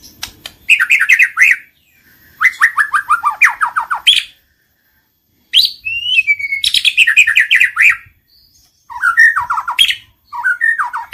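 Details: White-rumped shama lure song played to provoke singing: several bursts of rapid descending note series and crisp chips, separated by short pauses, with a brief whistled phrase between.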